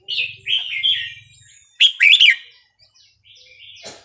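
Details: Burmese regional song of a red-whiskered bulbul, used to train young birds. Rich fluty phrases open the recording, then a loud chattering warble follows a pause, with a soft click near the end.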